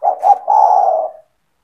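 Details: Spotted dove (tekukur), a caged bird kept by its owner, in a gacor cooing call played to lure other doves: two short low coos followed by one long, drawn-out coo that fades. No other sounds.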